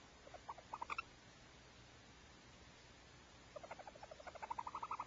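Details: Barn owl at the Starr Ranch nest on a January evening, arriving with food: quiet, rapid series of short ticking chitters, about three per second, rising slightly in loudness, with a faint burst of calls at the start over a hiss.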